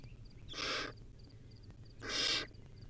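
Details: Two long, noisy hissing screeches from a wild barn owl chick feeding on a rodent, about one and a half seconds apart.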